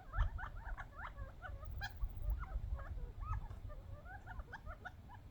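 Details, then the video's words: Wild quail, young birds a few months old, jostling over bird seed after coming in from the desert; a continuous run of quick wavering chirps and little rising squeaks from several birds, with thumping low noise below. "Quail fighting over seeds funny sounds"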